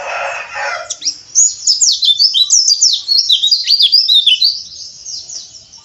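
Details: Oriental white-eye (pleci) harsh ngeriwik chatter for provoking rival birds: a brief noisy burst, then a run of fast, high, sharply sweeping twitters that fades at the end.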